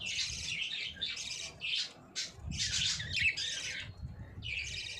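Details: Budgerigars chirping on 9 June 2023: a steady stream of high, warbling, scratchy chatter in close bursts, with brief gaps between phrases.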